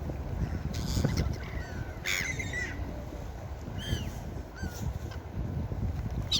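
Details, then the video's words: Gulls by the sea give a loud burst of ringing, wavering cries, then two shorter separate calls. Continuous wave wash fills the low end. "Seagull Beach Sound Effect"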